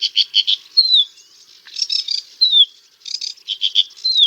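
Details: Sedge warbler singing in bursts: harsh doubled notes, a sliding whistle dropping in pitch, chattering groups separated by short pauses, and further descending whistles, with no other sounds present.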